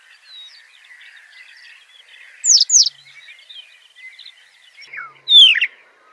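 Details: Singing Citrine wagtail: a pair of bright, steeply dropping high notes, then a longer slurred falling phrase near the end, set against continuous soft chirping of other birds.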